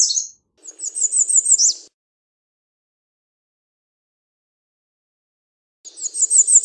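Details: American redstart singing evenly spaced, pulsing high notes, five or six per phrase, the first phrase ending in a downslurred accent; another phrase follows after a pause.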